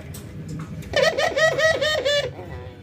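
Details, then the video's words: Albino white and local ringneck doves in routine training, nodding and laughing; a quick burst of about seven rapid, pulsed, nasal notes lasting just over a second, a chuckling laugh-like run, after quiet indoor room noise. "puter putih albino versus puter lokal ngangguk dan tertawa"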